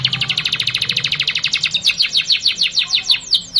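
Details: Canary singing a lure song meant for young canaries to learn: a fast rattling trill of bright high notes, about eight per second, slowing toward the end into separate downslurred chirps, with faint low hum beneath.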